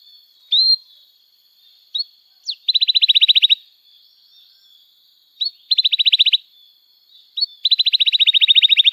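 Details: Canary singing to teach young birds: single rising chirps spaced between three short bursts of rapid, bright trilled notes, each about a second long.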